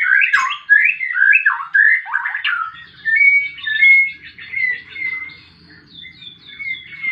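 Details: White-rumped shama in fighting mode pouring out a rapid run of warbled whistled notes, then quieter thin sustained whistles and chips, a soft hum beneath.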